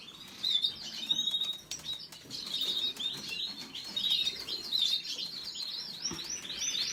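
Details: A canary sings a string of high, quick chirps and twittering slurs that grow busier toward the end, with soft clicks and rustling behind.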